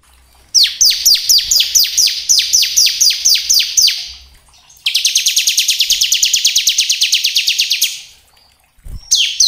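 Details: Bar-winged prinia song of the 'kristal gacor' style, used as a lure to stimulate and provoke other prinias to sing: rapid series of sharp high chirps, a pause, then a fast buzzy trill of repeated notes, and a brief chirp at the end.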